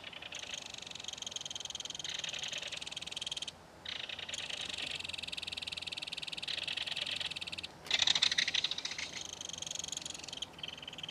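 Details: Belted kingfisher adult and baby trade chatter at a nest dug into a mud bank during feeding. A sustained grating rattle is followed by a louder, sharper burst near the end.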